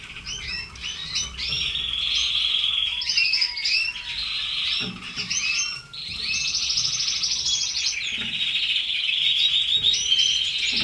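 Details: Several red canaries kept as pets sing overlapping twittering phrases, rapid rolling trills and occasional lower whistled slurs in a steady, busy chorus.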